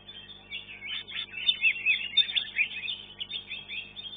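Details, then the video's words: Caged contest leafbird, third in first class: dense, slightly blurred warbling with high whistled accents and rolling chatter, steady hum beneath. "KELAS KE 1 CUCAK IJO"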